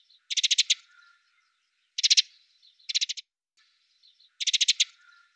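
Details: Eurasian tree sparrows at a fat ball feeder in Budapest, winter, 20 December 2010, filmed from a window hide; four bursts of rapid dry ticking notes, five to six notes each, spaced one to two seconds apart, with faint soft notes between.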